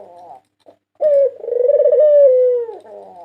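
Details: White ringneck dove, national champion of 2022: soft buzzy notes, a short gap, then a bright opening note swelling into a long pulsing coo that eases downward and fades into quieter rattles.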